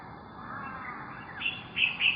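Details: A female brown shrike eating worms, a migrant from North Asia that arrived early, on 4 September 2021, gives three short, sharp, high chipping notes in quick succession after a faint, quiet stretch.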